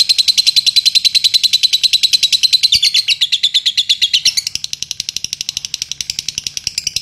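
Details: Contest-winning latah lovebird pouring out a continuous high-pitched chatter, pulses racing at a steady clip, pitch dipping and rising slightly before softening toward the end.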